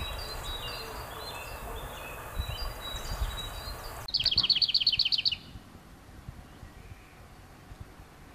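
Lesser whitethroat nestlings beg with faint high cheeps, then a sudden burst of about ten sharp, rapid, high-pitched chirps over a second, against a soft outdoor hiss.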